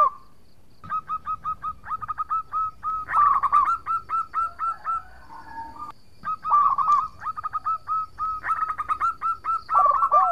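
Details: Long song bouts from a local zebra dove, used as a lure to make rivals answer; fast chains of short coo notes repeated several times a second, broken by one brief pause.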